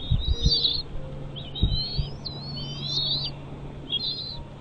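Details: Bald eagle at its nest giving high squealing whistles, some quavering and some slurred upward, in three bursts, with a low steady hum and a few knocks underneath.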